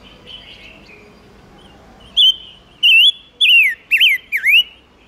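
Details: Silver-eared mesia singing as a lure to call in wild birds and excite males: near-quiet for two seconds, then five loud, clear whistled notes in quick succession, some rising, others dipping and climbing again, with a faint hiss behind.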